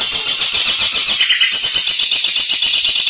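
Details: Long-tailed shrike singing its isian song: a continuous, dense, harsh high-pitched chatter with rapid scratchy notes throughout, slightly rising in pitch midway, with no other sounds heard.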